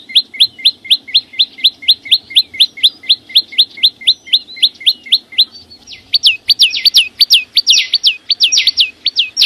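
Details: Chim sâu xanh song starting with a steady, rapid series of short upslurred whistles, then shifting to louder, longer swooping notes and sharp ticks in an irregular burst toward the end.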